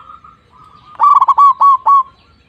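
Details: A local zebra dove, an Indonesian songbird, delivers a soft low coo followed by a loud burst of five rolling, bubbling coos about a fifth of a second apart, fading into a held tone.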